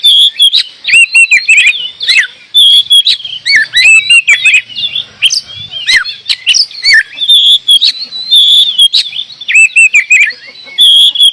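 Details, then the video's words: Oriental magpie-robin in full, active song: a long run of loud whistled and warbled phrases, repeated bright upslurred notes, rasping chatters and sharp ticks, delivered almost without pause. "Kacer gacor"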